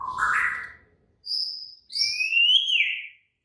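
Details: Agitated, highly active white-rumped shama: a rising throaty phrase, then clear high whistled notes and a long upward-sliding whistle, separated by short silences.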